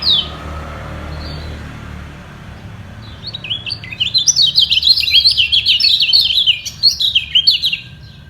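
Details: Lemon-bellied white-eye in a sound war with equally strong rivals below, guarding its top position. Quiet low rumble at first, then from about four seconds a rapid, high, twittering stream of slurred notes.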